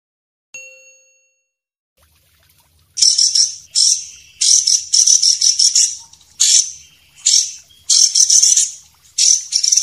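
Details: White-rumped shama, described as a champion bird and a young spotted bird, used as training audio for songbirds: after a short pure tone, harsh, noisy high bursts repeat roughly every second, with brief pauses between them.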